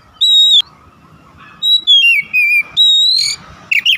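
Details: Whistled Oriental magpie-robin song used to encourage other magpie-robins to sing: a long clear note, then wavering descending whistles and a bright rising slur, closing with a short squeaky flourish.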